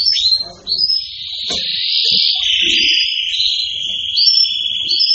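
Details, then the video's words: Excited canary holding a sustained buzzy trill with brief higher whistled flourishes above it, over faint low background noise. "تغريد كناري هائج"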